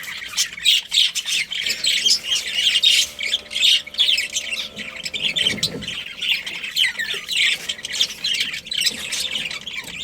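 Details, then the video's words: Budgies chirping together in a colony: a constant stream of high, warbling, scratchy chatter and squawks from many birds at once, loud and unbroken throughout, with a faint low hum. "Cute Budgies Chirping Sounds"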